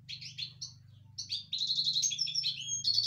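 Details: European goldfinch, excited in its cage, pours out a fast run of high, liquid twitters and trills that grow louder and denser after the first second and a half, with a low hum underneath.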